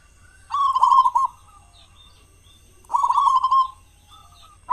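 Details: Local zebra dove singing as a lure for other doves, morning and evening; two loud purring coo phrases about two seconds apart, each a rolling trill followed by a faint short note.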